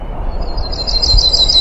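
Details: A Yellow-rumped Warbler in Bangor City Forest, Maine, in late May sings a loose, even trill of high, sweet notes over about a second, above low rumbling background noise.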